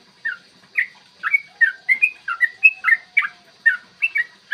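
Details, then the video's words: Morning 'ropel' song of a yellow-vented bulbul, used to make other bulbuls sing and become aggressive. Liquid whistled notes come in a lively, uneven series, some of them doubled, with a faint low hum in the background. "trucukan gacor TARUNG ROPEL PANJANG pancingan trucukan agar BUNYI dan EMOSI"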